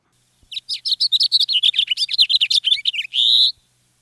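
A House Finch sings a quick three-second jumble of high warbled notes that ends on a long, harsh buzz. No other sounds are heard.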